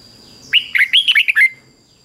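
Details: Red-whiskered bulbul, a caged bird, singing in the doubled 'beun' style (fik-jik-fok). Its quick burst is six or seven liquid, bouncing whistled notes of about one second, rising and falling, over a steady high electrical whine.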